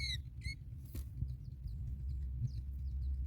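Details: Sooty chat, while birds bring a baby cricket to feed young, gives two sharp, high, downslurred chirps, then a run of thin, faint squeaky notes about every half second, over a steady low rumble of wind.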